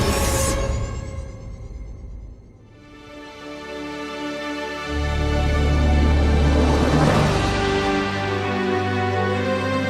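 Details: Swelling orchestral soundtrack music with sustained tones and a deep bass rise; no animal calls are heard.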